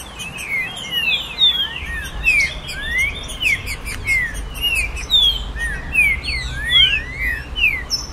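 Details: Captive green-winged saltator, tournament style called virada caratinga, singing to excite other caged birds: dense run of sharp whistled slurred notes, rising and falling, tumbling over each other for several seconds.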